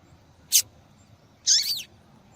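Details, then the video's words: Female yellow-bellied seedeater calling persistently: a brief high burst followed by a longer, looping, twittering note with rapid sweeps, both sharp and high-pitched against a quiet background. "Fêmea de Papa capim Chamando Muito !"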